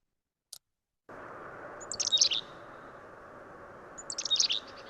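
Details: Black-capped Chickadee (Poecile atricapillus) gives two quick, high, sputtering gargle-like bursts about two seconds apart over a steady hiss, a cheerful-sounding aggression call telling another chickadee to stay away.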